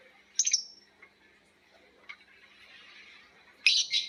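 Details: Lovebirds calling back and forth in a long ngekek chatter: sharp, high squeaky bursts near the start and a dense screeching run at the end, with quieter chirps between.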